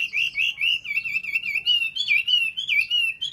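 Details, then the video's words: Chinese hwamei singing a continuous loud warbled phrase of rolling, wavering whistled notes for over three seconds. "họa mi"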